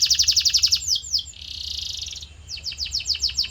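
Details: Canary song used as training audio to shape a caged canary's voice: fast trills of short high notes, then falling swept notes and a dense buzzy rattle before the quick repeated trill returns; steady low hum beneath.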